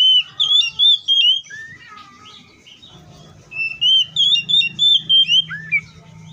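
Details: Wild Oriental magpie-robin giving rich whistled phrases of short sweet notes. A fainter lower warble sits in the middle, then a quick run of about eight bright chirps. A steady low droning hum is in the background.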